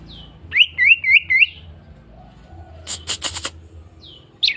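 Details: Greater green leafbird, a fighter bird used to provoke other birds: four rapid looping whistled notes near the start, then a burst of sharp high clicks and a brief high note at the end.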